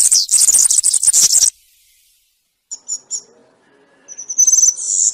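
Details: European serin campero-style song. A burst of shrill, scratchy, high jingling comes first, then a pause with a few sharp separate chirps. A thinner glittering phrase builds again toward the end.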